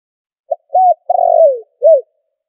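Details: Single cooing phrase of a spotted dove, a trapping lure recording with noise removed: brief soft note, a short coo, a long quavering falling coo, then a closing arched coo.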